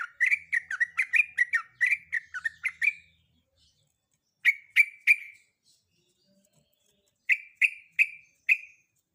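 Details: Female sooty-headed bulbul in breeding condition calls to a male, first with a rapid chattering run of slurred chirps, then two separate bursts of three and four short, sharp notes after pauses.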